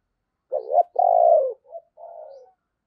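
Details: Decoy spotted dove with a thunder-voiced song, used to attract wild doves: a short double hoot, then a long smooth low coo, a brief soft note and a fading, breathy final coo.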